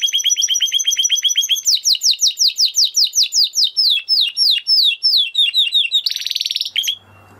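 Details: Spanish Timbrado canary song opening with a fast run of sharp notes, then slower descending whistled slurs repeated steadily, a short harsh buzzing roll, and a final whistle before a quiet end.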